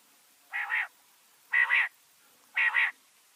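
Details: Common quail (batair) sound played in winter to lure and catch quail: three loud, nasal, double-humped croaking notes, spaced about one second apart, with silence between them.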